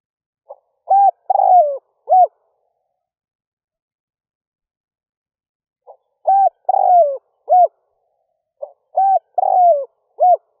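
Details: Decoy spotted dove cooing early in the morning to lure wild doves quickly: bursts of short hooting notes and a longer falling coo, phrases separated by pauses of several seconds, on a clean silent background.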